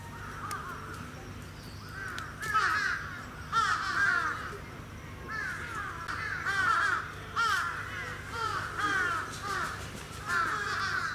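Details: Sarus crane kept at a safari park bird park in Gunma Prefecture, Japan, on 10 November 2018. Loud, harsh trumpeting notes with rich harmonics come in overlapping bursts about every second through the recording.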